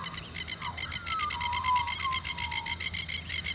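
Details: Masked lapwings at Oxley Creek Common, Brisbane, on a morning walk give a rapid, strident alarm chatter warning an intruding white ibis to back off, possibly guarding chicks; a drawn-out lower whistle, perhaps a brown quail, runs beneath.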